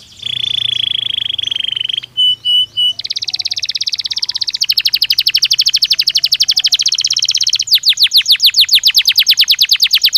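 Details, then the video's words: Training-stimulus song of a Belgian canary: a steady buzzy tone, three short piping notes, then a dense, rapid rattling trill that shifts to a higher, even faster pulsed tour near the end. "Som de estímulo que faz o canário belga responder imediatamente ao treino"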